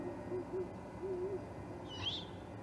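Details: At the Charlo osprey nest, 21 October 2020, a juvenile great horned owl: a few muffled low hoots with a wavering double note, then a single rasping, upward-sweeping screech; steady electrical hum throughout.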